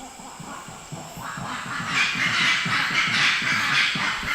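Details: Invisible rail (Habroptila wallacii), an extremely hard-to-see bird of eastern Indonesia, call: a loud, harsh series of pulsed, grunting notes, about four per second, swelling in strength halfway through over a faint hiss.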